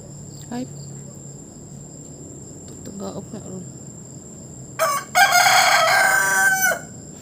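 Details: Rooster perched on top of a roof, crowing: one long, loud, harsh crow about two seconds long with a falling close, after scattered faint clucks, and a steady high electronic tone throughout.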